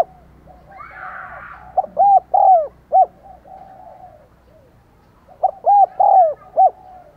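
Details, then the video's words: Lure call of a decoy spotted dove aimed at wild doves, two repeated coo phrases of short, long, long, short notes, soft and hollow; faint chatter of another bird beforehand. "Chim Cu Mồi THÚC GÙ Và GÁY GỌI Bổi Căng Đét"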